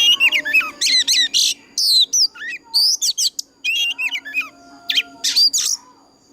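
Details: Oriental magpie-robin with an old wild voice singing a fighting song used as a lure for training birds; quick sequences of whistled upslurs, chattering and harsh rasping notes, varied and almost continuous, trailing off at the end.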